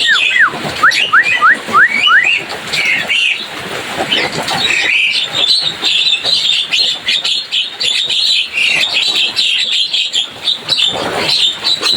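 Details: Javan myna run of rapid rising and falling whistles at the start, then sustained noisy chatter of squeaky overlapping chirps.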